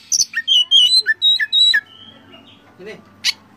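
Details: Kacer (Oriental magpie-robin) singing a rich, loud master song meant to excite other birds: rapid sweet whistles rising and falling, several pure held notes, then a pause broken by a single sharp high chip.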